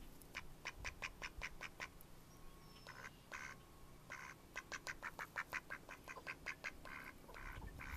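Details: Mallard ducks in May 2014 calling in rapid runs of clipped, evenly spaced quacks, several per second, broken by a few longer, harsher quacks.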